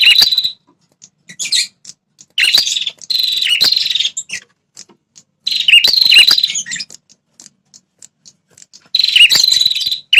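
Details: Prenjak kepala merah (red-headed prinia) call for provoking territorial males. Loud, raspy trilled bursts about a second long, repeated several times with short chips between.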